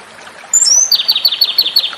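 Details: Japanese robin (komadori) song, offered as a training model for songbirds: a thin high whistle that slides down, then a rapid ringing trill of about nine evenly spaced sharp notes.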